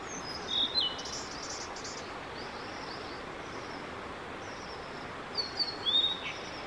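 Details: Male blue-and-white flycatcher singing on 5 May 2022 during a song session of about fifteen minutes; clear whistled notes near the start and a cluster of sliding whistles toward the end, with a brief buzzy burst between, over steady outdoor background noise.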